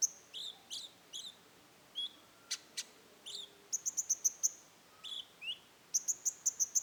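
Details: Rufous-tailed shama, known locally as konin, in roll tembak song: paired high notes with lower hooked tones, a few sharp clicks, then rapid runs of shrill piping notes repeated about five times a second.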